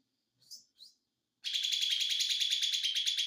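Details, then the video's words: White-eye ('ijo mini') giving its 'konslet' song: two brief high slurred notes, a short pause, then a fast continuous rattling trill of very high, tightly repeated notes. "ijo Mini konslet"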